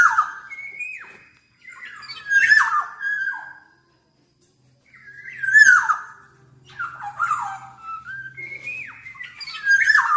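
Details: Black-naped oriole, billed as an exceptionally vocal bird, giving clear fluty whistles mixed with harsh, nasal downslurred notes in bursts separated by short silences.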